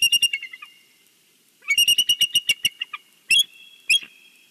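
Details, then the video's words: Bald eagle calling from its Big Bear nest in a Sunday greeting to the valley; shrill piping whistles run together in a fast series that slows and fades, then two loud, separate squealing notes close out. "Sunday greeting to the valley Big Bear Bald Eagle"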